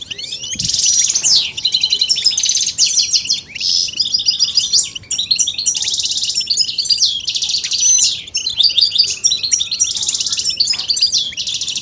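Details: Goldfinch song for stimulating singing and mating excitement: long loud stretches of buzzy rattling trills and fast twitters, broken by short pauses, with a few clear whistled notes.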